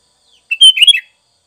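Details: A single sooty-headed bulbul phrase, recorded for training caged birds: a brief rich gurgling run of whistled notes that dips and rises over half a second, with nothing else audible.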